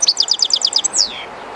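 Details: European goldfinch, a kept bird singing beside the flowing Jerte River; a fast series of about eight repeated bright tinkling notes followed by a drawn-out downslurred note, with soft river noise behind.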